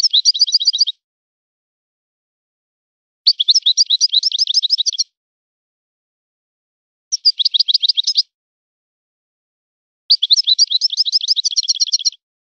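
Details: European goldfinch singing in a style named after a particular line of birds. Four short bursts of rapid, high, twittering notes, each about one to two seconds long, separated by silent pauses of two to three seconds.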